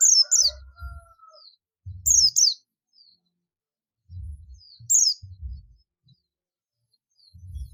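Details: Buxtoni Oriental white-eye calling companions in the ngalas style: short paired high chirps that slide sharply downward, repeated about every 1.5 seconds, over soft low knocking sounds and a brief faint whistle.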